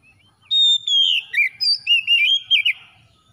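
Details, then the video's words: Oriental magpie-robin, called kacer, singing to spur a quiet bird: a long pure whistle sliding down into rapid, rich warbling notes with twisting upward and downward slurs, loud and clear. "SEKALI PANCING KACER SUSAH BUNYI LANGSUNG ON IKUT GACOR"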